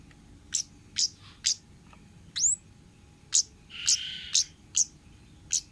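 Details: Orange-headed thrush, 'ngalas' forest style, on a tutor recording for cage birds: spaced sharp high ticks about every half second, one rising whistled sweep and a brief buzzy mid-pitched note.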